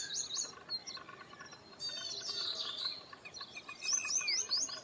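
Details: Baya weavers at a colony of several nests, building nests, chatter busily with high, squeaky chirps and wheezy buzzes overlapping from several birds at once.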